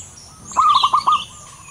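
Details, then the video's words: Big-voiced local male zebra dove delivers one short phrase of five clipped, bubbling coo notes in under a second, with faint higher bird chirps and a constant thin high tone in the background. "burung perkutut lokal jantan gacor suara besar"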